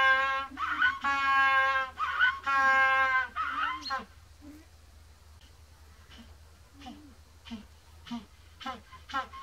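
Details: Adult African penguin from a captive colony giving loud, donkey-like braying notes, three long harsh brays in four seconds, then a series of softer, short honks, as in contact calls or ecstatic display songs.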